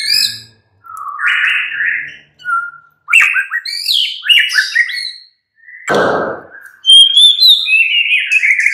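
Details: Mid-morning song of a white-rumped shama, used as a lure to make birds reply: burbling slurred whistles and quick chatter broken by short silences, then a burst of very high clear notes and rolling trills.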